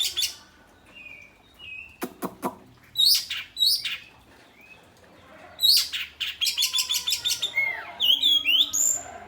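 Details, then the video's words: Varied oriental magpie-robin song, either ngeplong or materi style: short whistled notes, sharp dry clicks, bright high bursts, then fast rattling series of repeated notes and sweeping squeaky phrases, all loud and clear. "Kacer ngeplong atau materi ?"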